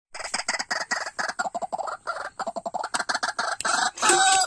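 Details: White-breasted waterhen: a fast, unbroken series of harsh, clucking croaks, roughly six to eight per second, growing louder and rougher toward the end.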